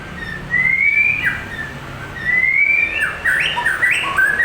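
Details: White-rumped shama from Medan with a long tail in full, lively song meant to provoke other birds to respond: two long rising whistles, each followed by burry jumbled notes, over a steady low background hum.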